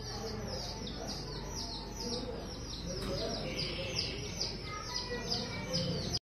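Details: A pair of lovebirds, described as American, giving a rapid series of high, thin chirps repeated several times a second, steady throughout, over a low background hum.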